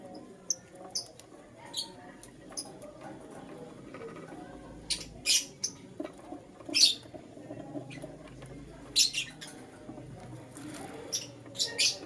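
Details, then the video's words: A lutino lovebird chirps in the morning, giving frequent harsh, high squeaky notes, some doubled or in short clusters, scattered irregularly through the recording over faint hum. "Lutino LoveBird Chirping Sounds"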